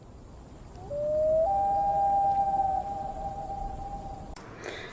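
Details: A common loon gives one long, mournful, wolf-like call that steps up in pitch after half a second and holds steady for three seconds, over faint hiss.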